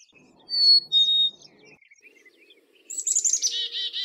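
Black-capped chickadee: two clear whistled notes, the second slightly lower, then a run of rapid buzzy, harsh 'dee' notes. Faint thin chips in between.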